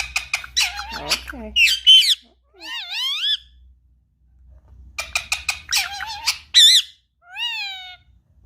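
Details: Curious pet Indian ringneck parakeet in a room, wanting to play with an iPad. Two bouts of fast, buzzy chattering, each ending in looping rising whistles, separated by a brief quiet gap.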